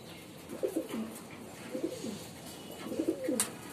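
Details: Quiet, low, gurgling coos from a female pigeon come in three short phrases, each ending with a downward slur. There is a faint sharp tick near the end.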